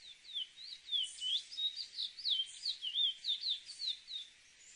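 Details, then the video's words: Chestnut-bellied seed finch, called cacahuero, in full song: a fast, varied stream of sweet whistled and slurred notes, many dropping then rising, about fifteen syllables over four seconds, with a quiet hissy background. "AUDIO CACAHUERO CANTANDO (SPOROPHILA ANGOLENSIS)"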